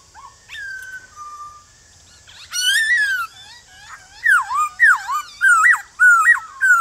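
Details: Male white-cheeked laughingthrush giving its forest-style morning call to draw wild birds into answering; soft whistles, then a loud arched phrase, then a fast run of looping, rising-falling whistled notes.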